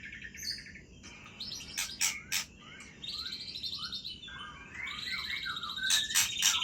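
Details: White-rumped shama of the Aceh type singing at midnight: varied whistled phrases, some slurred and rising, broken by sharp loud clicks, over a steady low background hiss.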